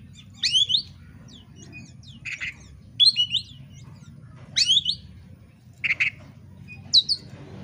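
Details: Oriental magpie-robin song used to provoke fighting, given in bursts of sharp whistled sweeps and rasping notes, separated by pauses of about a second, over a low steady hum.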